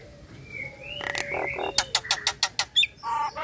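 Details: Female Nias hill myna calling the male while in breeding condition: a rising whistle and rough bursts open, then a rapid sequence of sharp clicking notes and a final harsh squawk.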